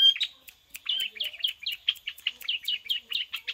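A long-tailed shrike delivers a rapid run of sharp, high chirps, about four per second, in a prinia-like pattern over a faint steady whine.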